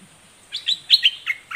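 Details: Red-whiskered bulbul, southern 'dok taeng' song style, doubling its notes in a fierce manner. After brief quiet come six clear, bright chirped notes, some slurring downward, in about one second.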